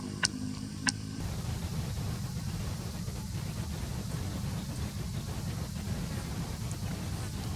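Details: Steady low rumbling wind and outdoor noise, with two sharp clicks in the first second and no animal voice.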